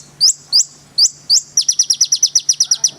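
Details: Konin sunbird song. Four spaced, upward-sweeping high whistles are followed by a fast, even series of shrill rising notes, about a dozen in a row. Faint low hum.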